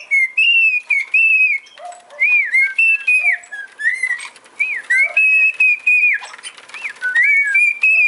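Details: Male pet cockatiel whistling a tune: clear whistled phrases around a steady pitch, with short rising and falling slides and brief pauses between bursts, plus faint lower chatter in the background.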